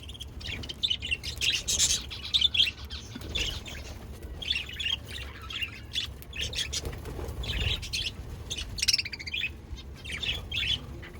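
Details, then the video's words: Pet budgies chirping: a busy stream of short, scratchy, high chirps and squawky bursts, some clustered in quick runs and others spaced by brief pauses, with a low steady rumble underneath throughout. "Cute Pet Budgies Chirping"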